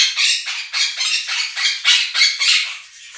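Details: Pet Quaker parrots screaming loud enough to drown out a recorded budgie flock: a steady run of harsh, raspy squawks, roughly four per second, each a short broadband burst.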